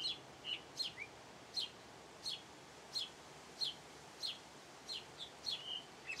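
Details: House sparrow singing: a faint series of short, sharp chirps, each a quick downward-slurred note, given about every half second to second, some in close pairs, against quiet background hiss.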